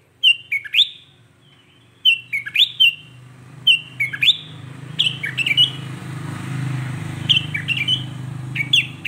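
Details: Sooty-headed bulbul in lively song meant to provoke other bulbuls: short bubbly, slurred whistled phrases in quick bursts, each a tight cluster of liquid notes with pauses between. A low rumble like passing traffic runs underneath.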